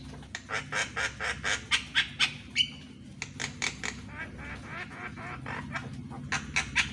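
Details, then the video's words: Morning song of a Javan myna used to train caged mynas: rapid harsh rasping notes repeated in bursts, with a short whistled note midway and a steady low hum behind. "MASTERAN BURUNG JALAK KEBO DI PAGI HARI"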